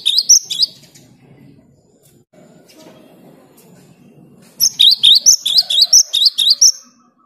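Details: Singing cinereous tit, played to prompt quiet caged tits to start singing: a burst of sharp high whistled phrases, then a long quiet stretch with low murmur, then a fast run of about nine repeated piercing two-note whistles.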